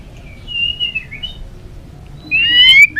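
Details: Balak 6 white-rumped shama used as a bird-catching lure: a long, thin whistle slurring slightly downward, a pause, then a brighter, louder whistled phrase rising at the end.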